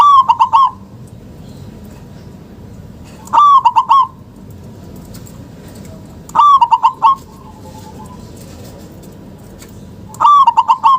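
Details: Local zebra dove recorded for luring silent doves into calling, giving four short, bubbling bursts of fast stuttered coos spaced about three seconds apart over a quiet background.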